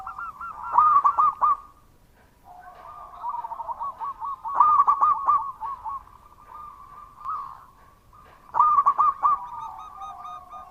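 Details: Local zebra dove in loud, active song. Three loud bursts of rolling coos come about four seconds apart, with softer trilled cooing in between.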